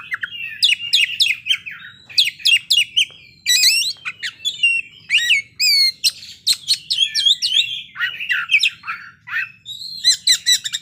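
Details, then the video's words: Oriental magpie-robin performing its repertoire of fill-in phrases: bursts of sharp chirps and whistles in tight groups, separated by brief pauses, with scratchy buzzy notes in between. "kacer ngeplay bongkar isian"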